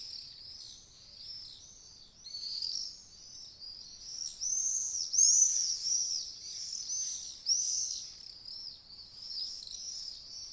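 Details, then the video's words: Several swallows twittering together, a dense chatter of high, quick chirps and warbled notes rising and falling in busy bursts, with no other sounds. "Swallows sound effect"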